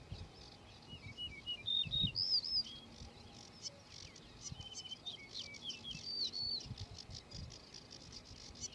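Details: Yellow-breasted bunting, a singing male, gives two phrases of clear, fluty whistles, each a quick run of pitched notes with upward slides, about four seconds apart, over faint chirping of other birds.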